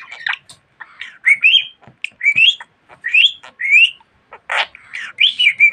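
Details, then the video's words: A talkative pet budgie repeating rising whistled speech-like phrases, about one each second, separated by clicks and one harsh rasping burst. "Muhabbet Kuşu Çimen Çok Konuşuyor.~Budgie Grass Talks a Lot"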